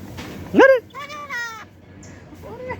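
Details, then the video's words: A pet common myna talking, imitating speech: a loud, nasal, rising-then-falling syllable, then a few steadier voiced sounds and one more brief phrase, in a quiet room. "আমাদের শালিক পাখি কত সুন্দর কথা বলে"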